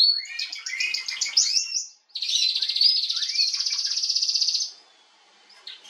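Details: Female canary song dated 21 January 2022, a trilled warble, a brief break, then a long buzzy rolling trill that stops abruptly into near silence.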